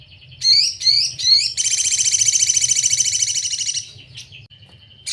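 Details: Sogon (Crimson Sunbird) sejalur masteran: three loud upswept chirps about half a second apart, then a long rapid buzzing trill, a soft thin whistle and a last sharp note, with faint low hum behind.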